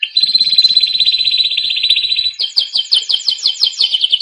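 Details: Canary singing for training young canaries: a long smooth rolling trill of fast pulsed notes, then a sequence of sharp descending whistled notes repeated roughly four times a second.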